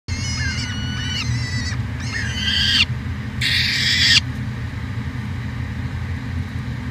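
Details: Peregrine falcon on a nest cam at the University of Alberta, Edmonton, Canada, 2017: two bursts of harmonic, wailing calls, then one harsh screech, over a steady low mechanical hum.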